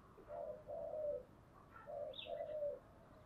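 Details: Spotted dove delivering a fighting challenge coo in the 'giọng thổ' voice style, two pairs of low, mellow notes ending in drawn-out purrs, with a faint high chirp from another bird in the background.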